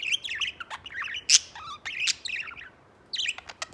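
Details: A white pet budgerigar chatters with high squeaks and a sharp click, followed by a low short whistle and more warbled notes, falling silent briefly before a final twittering burst.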